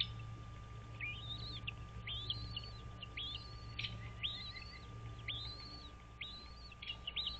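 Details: Wild American bald eagles at their nest on Dale Hollow Lake, straddling Kentucky and Tennessee, nest camera, 06:05 on 06.03.2023: high squealing whistles, each rising then falling, repeated roughly every second, with a faint steady hum.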